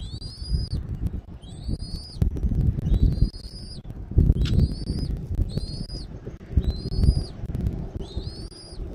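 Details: Eagle vocalizing at the nest in Southwest Florida on an afternoon in January 2024. A series of paired, rising whistled notes repeats about once a second, loud and thin, above buffeting low wind.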